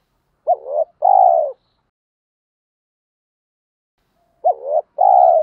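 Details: Two spotted dove coo phrases about four seconds apart, used to stimulate wild-caught doves in training; each is a short hooked note followed by a longer steady hum, with silence between phrases.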